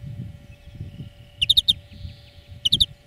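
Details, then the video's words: European greenfinch singing for a bird-training song lesson: two short groups of three quick, bright ringing notes, separated by about a second, over faint low background rumble. "Florya Ötüm Dersi"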